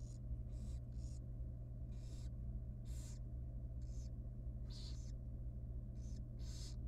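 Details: Rapid begging from a tiny wild barn owl chick at feeding time in a monitored nest box: about ten harsh, breathy hisses in under seven seconds, with a steady low hum.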